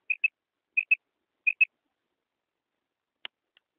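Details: A female common quail gives three pairs of short, high, clipped notes, like 'quip-ip', each pair under a second apart, followed by a single faint click; call used in quail hunting, morning and night.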